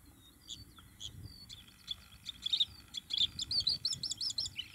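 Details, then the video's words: Bluethroat filmed in June 2021, singing a varied phrase: scattered thin whistles and clicks building into fast, dense trills and repeated buzzy notes high in pitch, growing louder toward the end; faint low rumble beneath. "GORGEBLEUE à MIROIR - Chant d'Oiseau"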